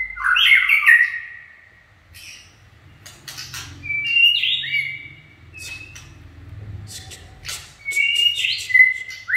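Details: White-rumped shama singing, named locally as chích chòe lửa, in a so-called 'run' performance: rich whistled phrases around the mid-high range, sliding and warbling, interspersed with sharp clicks and short high notes, with quiet pauses between bursts.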